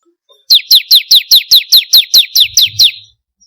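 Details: Bar-winged prinia (ciblek kristal) lure recording: one fast, even run of about twelve piercing downslurred chirps lasting roughly two and a half seconds, then silence.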